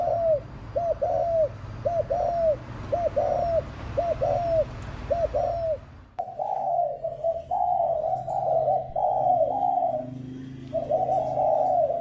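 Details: Lure-call cooing of a spotted dove: quick repeated coo pairs over a low hum, then a sudden change to longer, rougher, continuous coos running together.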